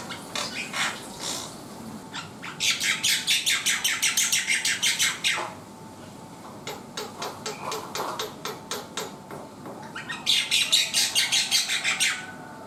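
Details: Black-winged myna in sustained vigorous song: long, even trains of grating, rasping notes, around three each second, in three bursts separated by short lulls, with a faint steady hum underneath.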